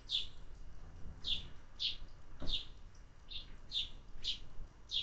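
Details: Sparrows being fed in summer: short bright chirps, about eight in five seconds, spaced irregularly over a soft low rumble, with one sharp click midway.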